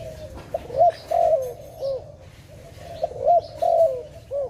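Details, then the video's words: Low, mellow cooing of a dove at a trapping site, a phrase of a short note, a rising-falling coo and a drawn-out descending note, given twice with short pauses between. "Sound of dove"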